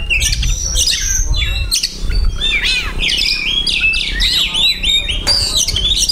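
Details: Captive Oriental magpie-robin pouring out a fast medley of borrowed phrases: arched whistles, quick chirps and buzzy trills in continuous succession, with low background rumble and occasional faint talk.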